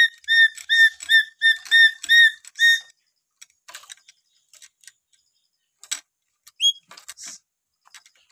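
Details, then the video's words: Lory from Papua, known locally as nuri paltem, giving natural whistles: a fast run of short, clear, harmonic-rich whistled notes repeated about three times a second for three seconds, then scattered faint clicks and one brief rising whistle. "siulan alami burung nuri paltem papua"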